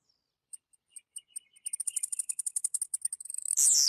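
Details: Blue-black grassquit singing: a series of sharp, high ticking notes that speed up into a rapid stutter, then end in one loud, explosive buzzy burst that sweeps downward. The setting is quiet, with no other sounds.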